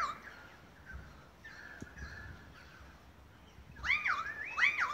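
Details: Australian magpies carolling in Beverly Hills, Sydney, Australia, August 2015, part of a long group concert: a quiet, soft warbling opening, then two loud swooping, looping harmonic notes near the end.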